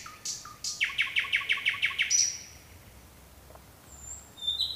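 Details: At night a nightingale sings two short downslurred notes, then a quick series of about eight identical sharp notes, followed by clear drawn-out high whistles after a brief silence.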